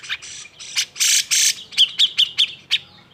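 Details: Cucak jenggot giving agitated song to draw other birds into singing: harsh buzzy bursts then a quick series of about six sharp chips.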